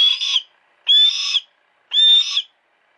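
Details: Three long, strident, whistled screeches, each about half a second, evenly spaced a second apart, from a female hawk kept in captivity at a private home. Recorded with a Sony Cyber-shot DSC-HX30V.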